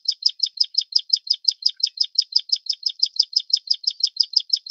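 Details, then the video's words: Prinia inornata flavirostris, the Plain Prinia of Taiwan, repeating a rapid chain of some twenty-seven scratchy, high buzzing notes at an even pace, with no pause and nothing else audible. "褐頭鷦鶯/Plain Prinia"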